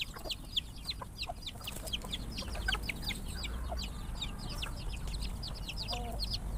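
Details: Numerous chickens eating their meal, startled by a noise, fill the air with thick, continuous, high-pitched chirping from many birds at once, with a steady low hum beneath.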